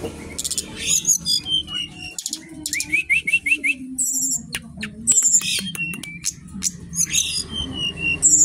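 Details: Brown-chested jungle flycatcher of Bali origin singing hard at a bird shop: a rapid string of five bouncing rising notes amid dense high chirps, sharp clicks and thin squeaks from surrounding caged birds.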